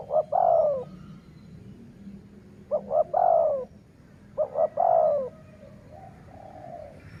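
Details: Three rhythmic cooing phrases from a decoy dove used to attract wild doves, roughly every two seconds. Each has two clipped low notes and then a drawn-out falling coo. Other faint coos and chirps follow at the end.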